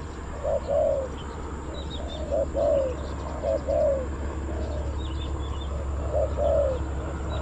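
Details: Spotted dove decoy calling wild birds at Bang Li, Thailand: soft double coos repeated at intervals, partly masked by low rumble, with thin high chirps from other small birds.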